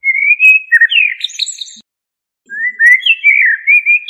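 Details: Song of a common blackbird: a rich, warbled phrase ending in a squeaky high twitter, then silence for about half a second before another smooth, flowing whistled phrase. The background is clean and quiet.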